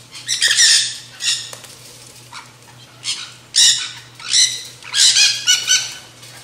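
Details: Feeding nanday parakeets at a backyard feeder let out loud, rasping shrieks in spaced groups, some doubled, with a quiet gap midway and a constant low hum in the background.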